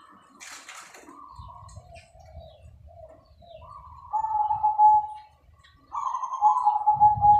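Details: Local zebra dove singing with a clear, crystal-like voice, used to draw other doves into song: short soft coos at first, then two louder, longer rolling coos, a brief wing flutter near the start, low rumbling noise between phrases.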